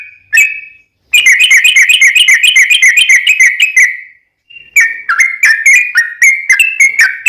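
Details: Lively yellow-vented bulbul song with a long trill, meant to draw other bulbuls into singing: a single whistle, then a fast rattling run of bubbly notes lasting three seconds, followed by separate slurred whistles.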